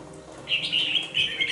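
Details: Two-month-old red-whiskered bulbul in a cage sings a quick run of clear, bubbling whistled notes. The notes follow one another almost without pause for about a second, against a quiet indoor background.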